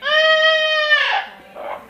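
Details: A parrot imitating a baby crying: a loud, drawn-out wailing cry that holds steady, then breaks into a rough, falling sob and a short quieter whimper.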